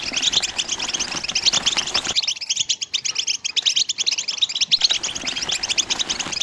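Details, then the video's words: European goldfinch giving mating song, styles called betbta and setsesta: continuous quick high chirps and trills, with a broadband background wash at the start and end and clearer twittering in the middle. "بتبتة وستسستة الحسون لتزاوج"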